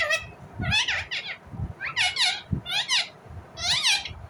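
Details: Four bursts of rapid, harsh, rising-and-falling chirps from an Indian ringneck parrot, each cluster under a second long and spaced roughly a second apart, over low indoor knocks and rustling.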